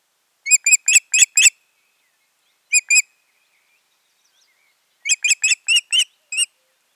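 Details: Osprey pair at the nest on 14 June 2019, in a season when their nesting had failed. Short, sharp whistled chirps in quick bursts: five notes, then a pair, then six, against a silent background.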